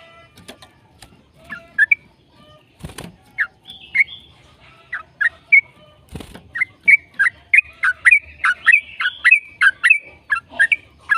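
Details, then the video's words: Yellow-vented bulbul in long song, played to encourage other bulbuls to sing: scattered warbled notes broken by two sharp knocking sounds, then an accelerating, continuous stream of bubbly, chattering notes. "PANCINGAN TRUCUKAN AGAR BUNYI burung TRUCUKAN GACOR ropel"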